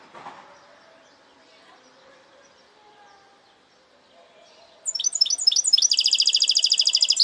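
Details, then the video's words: Goldfinch hybrid singing a segmented (parçalı) song: after several quiet seconds, a few sharp high notes lead into a fast, buzzy, evenly pulsed trill that runs to the end. "Saka Melezi Parçalı ötüm"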